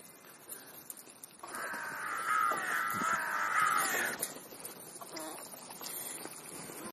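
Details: A crow calling while feeding, taking a snack between breakfast and lunch; one drawn-out, harsh, nasal call lasts about three seconds, with quieter rustling background before and after.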